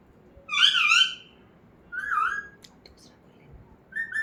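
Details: Pet parrot in a quiet room gives a long wavering harmonic speech-like phrase, a shorter similar phrase, faint clicks and a brief final wavering note.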